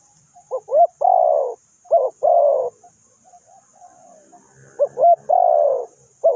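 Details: Spotted dove used for bird trapping, cooing loudly and close: two short rising notes then a long, burry, falling coo, phrase given twice, a pause of soft notes, then repeated; steady high insect hiss behind.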